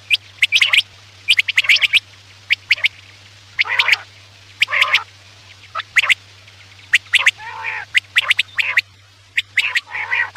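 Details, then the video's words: Quail calls at night, used as a lure for hunting: bursts of harsh, scratchy broadband notes in short clusters every second or so, with a steady low electrical hum underneath. "Batair ki awaz raat k liye|batair ki awaz shikar k liye"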